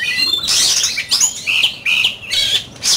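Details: An oriental magpie-robin gives loud, harsh slurred phrases in competitive singing. Grating, broadband notes mix with several drawn-out whistled slurs, each lasting about half a second.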